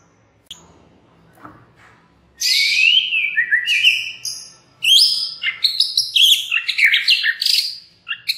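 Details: White-rumped shama lure recording, quiet at first, then loud sweeping whistles and buzzy notes, followed after a brief gap by fast, varied warbling and chatter.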